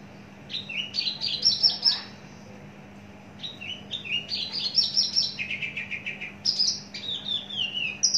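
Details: A mature, long-kept Javan bush lark in a cage sings rapid chains of high, slurred notes and short rattling trills. There is a pause of about a second mid-way, and a faint constant hum runs beneath.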